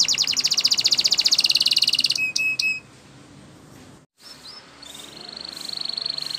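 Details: Spanish Timbrado canary singing training song: fast loud trill for two seconds, three clipped pips, quiet gap, then a thin sustained whistle-trill.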